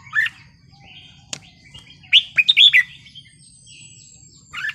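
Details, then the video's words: Red-whiskered bulbul wild-style song: a short whistled note, a sharp click, then a quick cluster of four or five liquid warbled notes, with a soft thin whistle trailing and a low steady hum. "นกกรงหัวจุกเพลงป่า สำนวนเพราะ ๆ"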